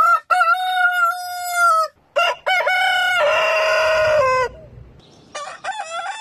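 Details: Rooster crow from a multi-breed compilation: a long, loud, level harmonic note lasting over a second, then stuttering crow starts and a strained, buzzy sustained crow, fading to faint crows at the end.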